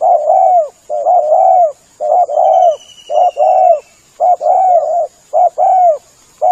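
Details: Spotted dove lure calls, loud and close: rapid run of hoarse double and triple coos, phrases of two or three notes separated by short gaps about once a second, with faint thin whistles in the background.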